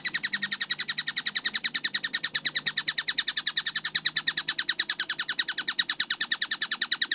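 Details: Kingfisher known locally as tengkek buto, in a fast, tightly paced clear song: a steady rapid stream of sharp, high repeated notes, about three per second.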